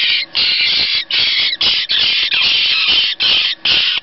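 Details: Noisy Jackdaw nestlings being hand-reared at a rescue after builders disturbed their nest give harsh, hoarse, rasping squawks in loud half-second bursts, about two each second, with brief gaps between them.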